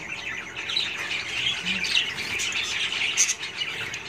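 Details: Pet budgerigars (Melopsittacus undulatus) chatter steadily in a dense wash of high, scratchy chirps and warbles.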